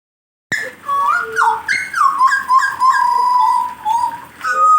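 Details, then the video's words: Caged jagal blorok songbird being warmed up before singing, giving loud whistled notes that slide up and down, some dropping sharply, in a small room. "kasi panas dlu jagal blorok nya"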